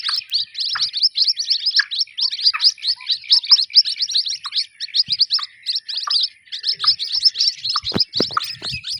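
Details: Chicks of the white-breasted waterhen give rapid, overlapping, piercing peeps in an unbroken chatter, with occasional lower squeaky notes and brief pauses between runs.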